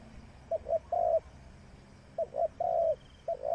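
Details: Decoy spotted dove used for trapping gives repeated low coo phrases, each two quick short notes followed by a drawn-out, slightly falling coo, with about a second of quiet between phrases and a soft distant chirp.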